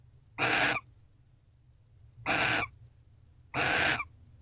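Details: Wild barn owls in a nest box at 5:19 am on November 29, heard after mating as the male departs; three rasping, noisy screeches, each under half a second, spaced about 1.5 seconds apart.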